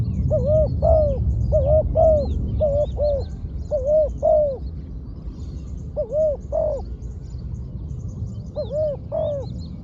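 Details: Trained decoy spotted dove calling on the ground: rapid runs of soft, hollow coos, pairs and triplets of arched notes, nearly three a second, broken by brief pauses. Low background rumble and faint high twitters of other birds.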